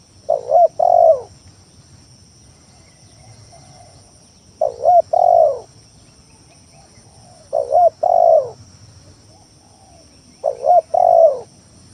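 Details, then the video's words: Spotted dove lure song for provoking rival doves into calling: four phrases roughly three seconds apart, every one a short broken double coo running into a longer, mellow, downward coo. "Suara Pikat Tekukur Tanah full gacor Nekan lawan"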